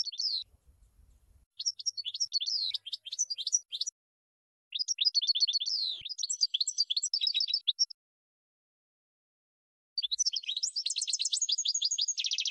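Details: European goldfinch singing on a training recording for teaching song to birds; rapid high twitters, tinkling phrases and a buzzy trill in several bursts separated by pauses, a soft low rumble early on.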